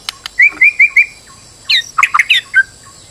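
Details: Stressed white-rumped shama played as a lure to draw song from another bird: four clear upslurred whistles in a row, a pause, then a burst of varied, tumbling chirps and a short final note.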